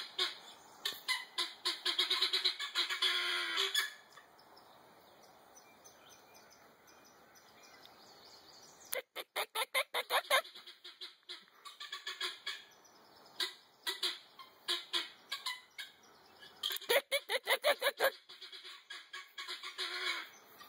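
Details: Helmeted guineafowl chatter in harsh, rapid bursts of grating, repeated notes, broken by short pauses, while being approached and provoked by people.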